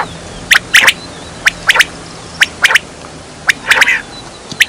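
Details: Quail calling for a hunting lure: sharp, snappy notes delivered singly and in quick pairs, roughly one a second, plus a brief rasping burst near the end, against faint hiss.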